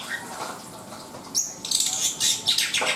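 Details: Black-winged myna singing: after a quiet start comes a sudden high squeak, then loud, grating, broadband rasps with short gaps between them.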